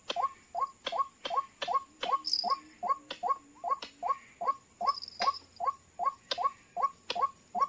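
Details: White-breasted waterhen at a trapping site using call playback, two birds coming in: evenly spaced, sharply rising kwak-like notes about every 0.4 seconds, with occasional clicks and a brief high squeak.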